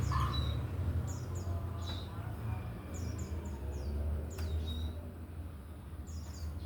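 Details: Male Rengganis in full song, giving scattered bursts of sharp, very high chirps that slide downward, some doubled or tripled, over low background rumble with a voice briefly heard.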